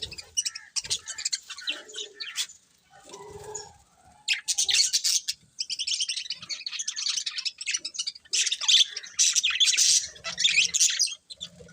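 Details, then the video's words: Budgerigar breeding pair, colourful birds, trading bursts of rapid twittering chirps and grating warbles, separated by brief lulls with softer lower squeaks, then a long, loud chattering spell. "Colourful Budgies Chirping Sounds"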